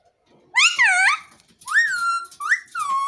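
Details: Green parrot making talking sounds: a loud arched, harmonic-rich note rising and falling, then after a short pause a rising-then-level note and two shorter upslurred notes, in a quiet room.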